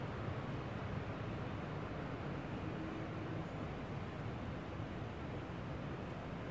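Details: Steady broadband hiss and low rumble throughout, with no animal calls.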